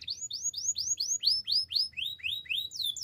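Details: A Spanish timbrado canary, recorded as a training song, gives a measured series of about a dozen clear whistles, each sweeping up then curving down, spaced roughly four to the second.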